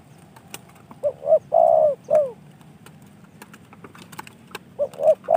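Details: A spotted dove, received as a gift from a fellow keeper, gives a full phrase of two short coos, a drawn-out coo and a falling coo. A second phrase begins near the end, with occasional clicks in between.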